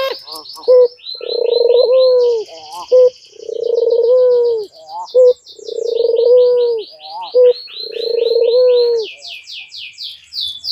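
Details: White dove in courtship, bowing and calling incessantly: long, low, rolling coos with a short clipped note between them, repeated about every two seconds, while other small birds give rapid high chirping trills.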